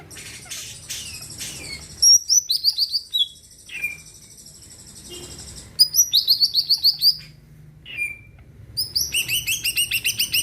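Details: Energetic greater green leafbird in full song, meant to push other birds to sing; fast series of rapid high chattering notes broken by slurred descending whistles, bursts repeated in several runs, low background hum.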